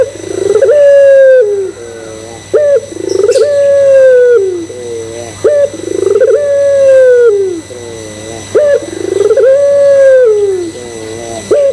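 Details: Barbary dove of the pelung style cooing steadily as a lure for other doves. Four long phrases, each a clipped high note, a throbbing rise and a drawn-out falling coo, then a softer wavering segment, roughly every three seconds.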